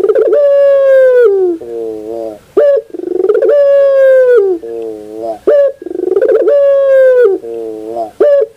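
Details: Barbary dove (puter) giving pelung-style morning song, three full phrases: each a long sustained harmonic coo falling slightly at its close, a lower burbling tail, then a brief sharp note before the next.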